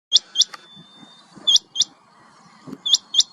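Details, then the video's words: Rain quail giving sharp, high, metallic double notes, paired like 'which-which', each pair repeated about every 1.4 seconds over a faint low rumble. "Rain quail call"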